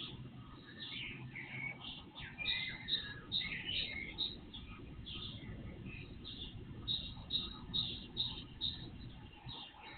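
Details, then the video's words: Night-to-dawn birdsong recorded by a surveillance camera; scattered chirps and twitters early on, then evenly repeated high notes about twice a second, over low rumbling noise. "Night Birds Song"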